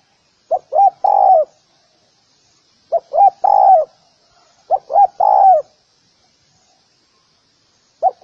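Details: Spotted dove recorded for use in dove training, repeating its phrase three times about every two seconds: two or three clipped coos followed by a longer mellow coo falling away, with nothing else audible.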